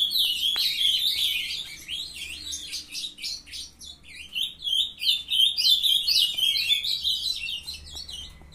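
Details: Young captive-bred ultramarine grosbeaks from a brood singing hard: a fast, continuous warble of high, sliding and chirped notes, phrases running on with brief dips in loudness around the middle.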